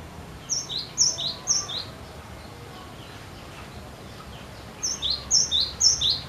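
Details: Cinereous tit singing persistently to prompt other birds to sing: two runs of high two-note phrases, a thin whistle dropping to a lower note, repeated about twice a second, with a quiet pause between the runs.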